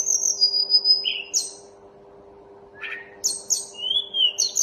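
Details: Mountain tledekan (Snowy-browed Flycatcher) singing: thin, high whistled phrases, some sliding down and some trilled, come in two bursts split by a second and a half of quiet. A steady low hum runs underneath.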